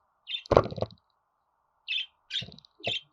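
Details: Budgerigar calls meant to prompt pet budgies to sing: a loud, harsh, broad chirp cluster at the start, then three shorter scratchy chirps spaced about half a second apart.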